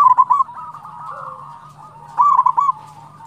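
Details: Zebra dove, a local bird, singing actively, used as a lure to draw in and excite other zebra doves; loud low cooing phrases of quick throaty trilled notes, a short burst, a drawn-out purring stretch, then another rapid burst.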